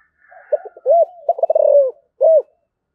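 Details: Spotted dove with the thổ voice style calling: short soft notes, an arched coo, a rapid stuttering run sliding into a long falling coo, then a final arched coo after a pause.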